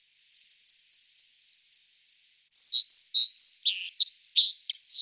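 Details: White-throated dipper at the Lieser in Wittlich, 2019: a string of quick high ticking notes, then louder rasping, whistled phrases.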